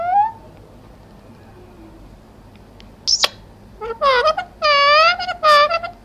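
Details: Talking parrot gives one short tonal note, falls silent, then squeaks sharply and runs into a string of voice-like harmonic syllables, some sustained, near the end, indoors with low background hum.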